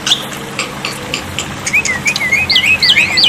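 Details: Black-winged myna song used to train and wake up silent birds, set against running water: quiet at first, then a quickening run of looping, warbled whistles climbing higher toward the end.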